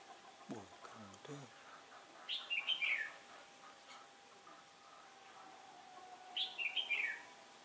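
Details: Competitive song of a decoy red-whiskered bulbul luring wild birds into a trap, 15 October 2017, a day of turning wind; a few low knocking sounds first, then two warbled descending phrases.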